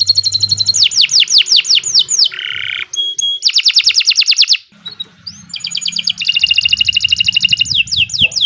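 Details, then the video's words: Long, busy song of a Kenari Nusantara canary used to coax other birds into singing: repeated downslurred whistles, a buzzy low trill, rapid rattles, a brief gap, then more fast pulsing phrases. "Kicau Burung Kenari 103 II GACOR PANJANG Cocok untuk Masteran"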